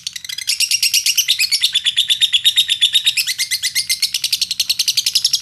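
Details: Lovebird in Indonesia singing to provoke other lovebirds to sing: a continuous fast stream of high, buzzy chirps and trills, repeated almost three times per second, steady and loud throughout.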